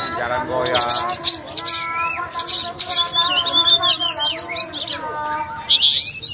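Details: Caged Oriental magpie-robin singing in fighting mode: loud, varied whistled phrases, sweeping and warbling high notes with rapid chattering bursts. Quiet human voices sit underneath.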